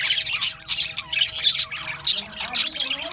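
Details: Australian budgies squawking and chirping in quick, scratchy bursts, with short rising and falling warbled notes mixed into the chatter.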